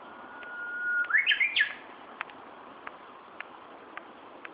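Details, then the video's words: Recorded in Tokyo, Japan, 1 June 2013: a bird's sustained whistle leads into a quick, jumpy warbling flourish, followed by quiet with faint, evenly spaced clicks roughly every half second. "鳥の鳴き声 Bird’s sound"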